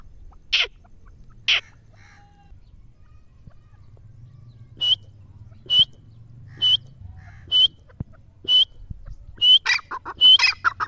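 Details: Grey francolin: two buzzy notes, then a series of short clear whistles about once a second, ending in quicker phrases with a harsh chattering tail, over a soft low hum.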